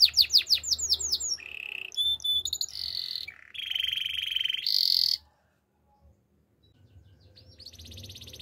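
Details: Spanish Timbrado canary singing: a loud run of rapid descending metallic notes, then rolling trills and buzzy sustained tours at varied pitches, ending after about five seconds with a brief pause and a faint new phrase starting.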